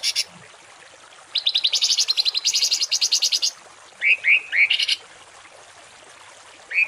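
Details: Masteran of rough 'tembakan kasar' song for training kept songbirds: a fast rattling series of high notes lasting about two seconds, then three to four sweeping upslurred whistles, one more whistle closing the passage.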